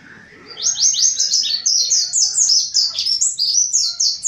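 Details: Mountain white-eye, called pleci montanus, singing loudly with an open beak as a lure for wild white-eyes: a fast, continuous run of high, sharp chirping notes, about four per second, over faint background noise.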